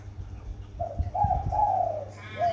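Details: A Spotted dove, captive for seven days and already calling, sunning on a rooftop on a sunny day after storms, gives a low, mellow cooing phrase of a few drawn-out, slightly wavering notes, then begins another, over a faint rumble.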